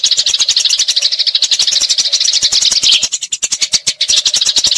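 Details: Fighting Eurasian tree sparrow giving a long, rolling chatter meant for training magpie robins; fast, harsh chirping pours on continuously, briefly thinning around three seconds before building again.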